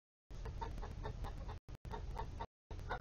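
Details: Chickens in a coop from a mixed flock of Polish, Golden Comet and Easter Egger breeds give short, low clucks about every half second in a steady run, with a brief pause, over a constant low hum.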